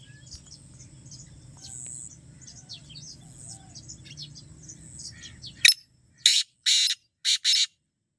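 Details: Black francolin calling after a stretch of high, thin chirps from small birds over a low rumble: a sharp opening note and four rough, rasping notes in quick pairs.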